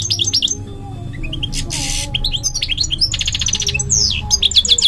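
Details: Fast, jangling goldfinch singing of sharp high chirps, a brief hiss-like buzz, rising whistled notes and a buzzy rattled trill, continuous over five seconds with a low hum in the background.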